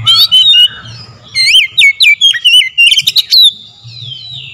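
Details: Oriental magpie-robin song used as a lure to provoke singing: a rich, fluty phrase, a pause, then a quick string of looping whistles and chirps with slides up and down, trailing off into a soft rising note.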